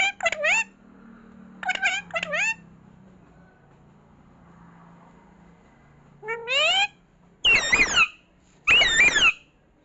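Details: Pet parrot talking, repeating mummy. Pairs of short voiced syllables early, a quiet gap with soft background, then several louder harsh, squawky spoken bursts near the end.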